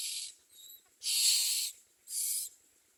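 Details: Common myna chicks in the nest hiss harshly, with a soft rasp followed by two loud breathy bursts about a second apart.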